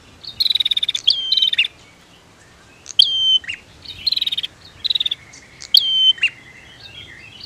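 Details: Female and male prinias calling to stimulate reluctant birds: short buzzy trills and high whistles in separate bursts, a quiet pause in the middle, soft background hiss.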